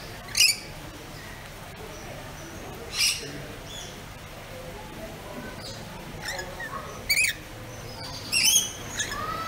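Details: Pet rainbow lorikeet giving short, harsh, broadband screeches, five loud bursts spread over about nine seconds, with quiet gaps and faint chirps between.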